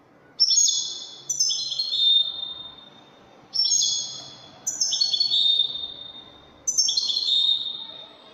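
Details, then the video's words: European goldfinch song in the Widani style, Algeria: three repeated phrases of stacked high twittering notes, each ending in a long, level, ringing trill, roughly every three seconds. "تغريد طائر الحسون الويداني chant de chardonnere"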